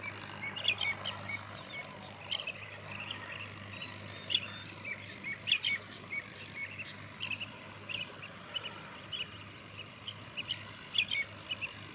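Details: Four common mynas, also called Indian mynas, calling in an irregular jumble of short chirps and squeaky notes with sharper high accents, over a steady low hum and faint insect-like background noise.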